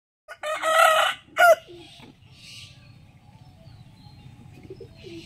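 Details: A rooster crowing in the morning gives one loud, harsh cock-a-doodle-doo with a rising then falling note. A short clipped final note follows, then a low background rumble and faint distant chirps.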